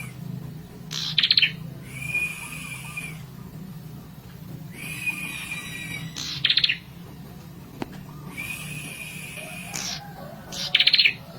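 A prinia sings in loud, sharp, buzzy bursts every four to five seconds, with thin, steady high whistles between them over a low background hum.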